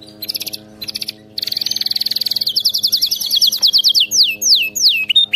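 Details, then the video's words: Canary song, used for training a pet canary to sing nonstop: loud, fast rattling trills of repeated high notes that change tempo, ending in a series of slower, clear descending whistled slurs, with a faint steady low hum underneath. "صوت كناري مذهل لتدريب وجعل طائرك الكناري يغرد بلا توقف canary singing training bird"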